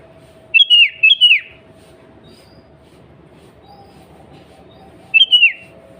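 Sooty-headed Bulbul giving short, bubbly whistled phrases of three quick notes, then a pause of about four seconds before a shorter phrase; a faint steady hum underneath.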